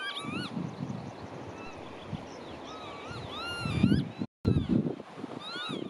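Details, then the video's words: A Marsh Sandpiper gives clear, arched whistled notes, repeated several times and sometimes overlapping, over a low rumble, with a brief bump and handling noise near the end. "Поручейник. Кулик. Птица"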